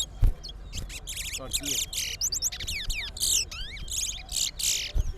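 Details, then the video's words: Towa towa in a singing contest between two birds, delivering a long fast run of sharp descending whistles, chattering notes and harsh buzzy trills almost without pause, with faint voices and a thud behind. "TOWA TOWA BIRD SINGING COMPETITION"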